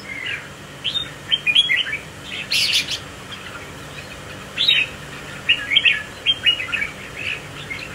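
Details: A captive Red-whiskered Bulbul with a spiky crest sways while displaying among competing birds. It gives repeated short, liquid whistled phrases throughout, with one brief broad rustling burst partway through.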